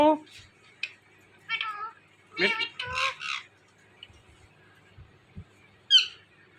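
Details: Talking Indian ringneck parrot: clusters of rapid speech-like syllables with rich harmonics, separated by short pauses, ending in a single sharp high squawk after a quiet stretch.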